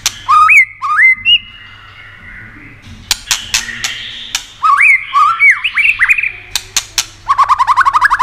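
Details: Stimulating song of a white-rumped shama, meant to excite other shamas: loud upslurred whistles and sweeping notes broken by sharp clicks, ending in a fast buzzy trill of repeated notes.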